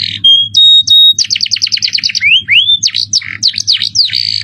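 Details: Canary singing a master training song in the luxurious cengkok style with a shrill jerih voice: a buzzy opening, clear held whistles, a rapid high trill, then rising slurred sweeps and sharp chips, over a steady low hum.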